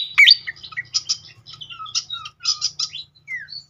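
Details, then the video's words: Srikatan kipas (fantail) lure song meant to trigger singing: a loud sharp opening note, then spaced bursts of high chirps and short descending whistles, with quiet gaps between phrases and a faint low hum. "langsung Nyaut seketika pancingan khas burung srikatan kipas"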